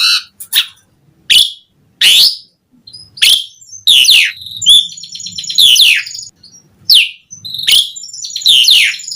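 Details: Asian pied starling singing full-isian gacor style for birds to imitate: separated harsh, sweeping squawks and buzzy descending notes spaced about a second apart, with faint low background hum.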